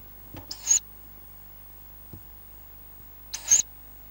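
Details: Five tawny owl chicks in the nest: two loud, breathy hissing bursts about three seconds apart, each rising in strength to a sharp end, with quiet pauses and faint clicks between.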